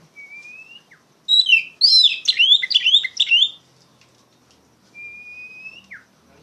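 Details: Loud Oriental magpie-robin singing to train untrained poci birds: a long thin rising whistle, then a dense burst of rapid, jumpy whistled notes, ending with another drawn-out whistle and a downward slur.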